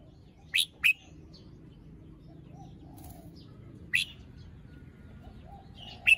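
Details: A red-whiskered bulbul in the morning, fluffed and still moulting with a partly grown crest, gives scattered single bright whistled notes, a pair early on then lone notes near four and six seconds, over soft hum.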